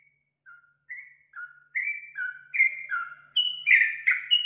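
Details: Kept-bird prompting song of a yellow-vented bulbul: clear whistled notes, first soft and spaced, then louder and quicker, stepping up and down in pitch and ending in a brighter, bubbling flourish.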